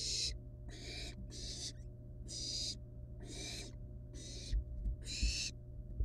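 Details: Wild barn owl nestlings in the nest with a rat still alive; rapid series of harsh, noisy hisses, some short and clipped, others longer, about eight bursts in six seconds, with occasional knocks and a low constant hum.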